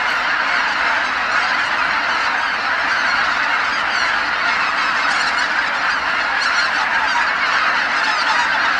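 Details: At Kabukuri-numa marsh after sunset, tens of thousands of geese fly back from their feeding grounds calling together; an unbroken, loud wall of honks and yelping notes blending into a steady roar throughout.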